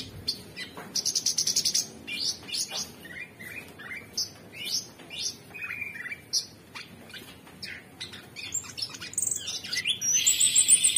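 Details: Non-stop gacor song of an Orange-bellied Leafbird (cucak cungkok): a rattling burst of rapid notes, then chirps, upslurred whistles and squeaks, ending in a loud high trill.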